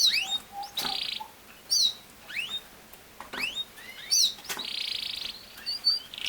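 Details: Singing canary mixing long harsh buzzy trills with bright sweeping upslurred whistles, sharp high chips, and brief low piping notes, each varied phrase lasting about a second.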